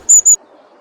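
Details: A Long-tailed Tit in the Nordic woods, a highly social species usually seen in large flocks, gives two very high, thin, slightly buzzy notes in quick succession, then quiet with faint background hiss.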